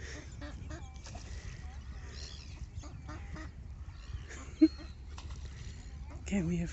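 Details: A flock of Canada geese gives loud, overlapping nasal honks at an irregular pace in suburbia on a Saturday, 5 June walk; a woman speaks briefly near the end, startled by the sound and remarking how huge they are.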